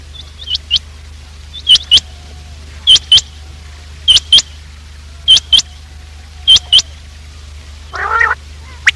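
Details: Quail morning lure call used for trapping: sharp, high, clipped notes in quick pairs, repeated roughly every second, with a lower, buzzy, nasal call near the end.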